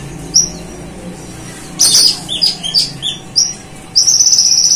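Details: Energetic konin sunbird mimicking cililin bird and golden grasshopper as a master recording; scattered sharp high chips and squeaks burst together, then a sustained high-pitched buzzing trill ends the passage.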